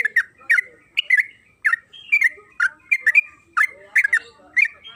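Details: Yellow-vented bulbul (trucukan kebo) in energetic 'gacor' song meant to set off other birds: clusters of bright, liquid notes, roughly one burst per second, some doubled, in a clean quiet setting.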